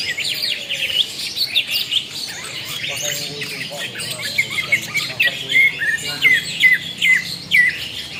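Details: Bird calling with rapid high chirps, short whistled upslurs and harsher squawk-like notes in uneven bursts roughly every half second, over a low background murmur.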